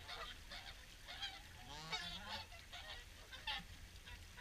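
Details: Swans gathered at the evening feed at WWT Caerlaverock, a crowd giving overlapping nasal honking calls, several bursts per second with rising and falling harmonic notes.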